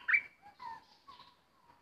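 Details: Bulbul kept as a decoy bird while an uninvited intruder turns up, giving a soft opening burst and then drawn-out whistled notes, some falling, in a short quiet phrase.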